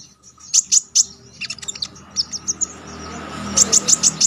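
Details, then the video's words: Konin in active song, kept as a tutor recording for songbird contests: sharp, very high chirped notes in quick bursts, a pause of scattered twitters, then a fast run of five piercing notes. "Konin damer gacor ngalas nembak tajam‼️ampuh buat masteran"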